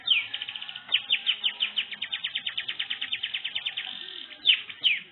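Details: Pet canary song used to prompt another canary to answer, a long, rapid, even trill of repeated chirps held for several seconds, framed by sharp downward-swept whistles at the start and end.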